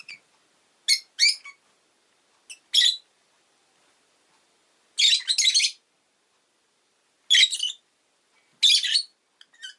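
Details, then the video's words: Rosy-faced lovebird chirping in harsh, rasping bursts. Short calls and longer chattering runs come every second or two, with quiet gaps between them. "Lovebird Chirping Sounds"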